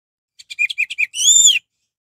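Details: Orange-headed thrush phrase for provoking rivals into song: a string of five quick descending chirps leading into a sustained, clear, arched whistle.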